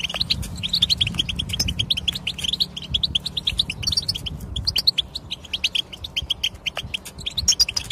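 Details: European goldfinch song played to encourage silent goldfinches to sing: a continuous stream of quick, bright, tinkling high notes and twitters, with a low rumbling hum underneath.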